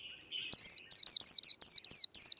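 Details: Japanese white-eye 'líu đấu' fighting chatter used to provoke rivals: a faint low whistle, then around eight loud, high, rapid slurred chirps at an even, quick pace.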